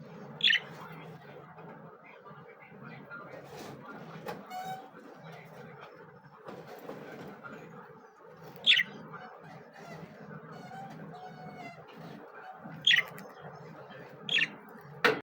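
Budgerigars chatter in a steady warbling murmur, broken by a few loud, sharp high chirps.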